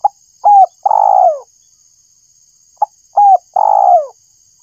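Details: Spotted dove calling to lure birds: a short note, a hooked coo and a long downward-sliding coo, repeated after about two seconds, with a faint continuous high tone.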